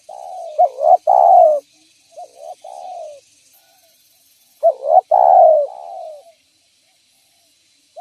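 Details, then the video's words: Spotted dove lure call for drawing in other doves: two full cooing phrases, each of short clipped coos leading to a prolonged gently falling final coo, with quieter softer coos between them. "Suara Burung Derkuku Gacor Cocok Untuk Pancingan Dan Pikat Tekukur"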